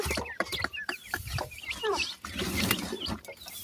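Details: Francolin (teetar) chicks fighting with their mother after feeding. High, wavering peeps and downslurred chirps mix with a brief low churring note and loud clicking and knocking noises.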